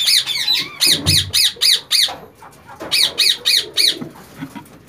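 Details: Indian ringneck parakeets in a captive breeding colony with a breeder pair and chicks: loud harsh squawks repeated about four per second in two bursts, with a few softer rising notes at the start, indoors.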